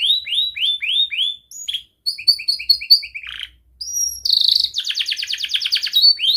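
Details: Young canary in full song, used to train young canaries: a series of rising swept whistles, quick repeated piping notes, a short buzz, then a dense, rapid rattling roll lasting over a second before another rising note.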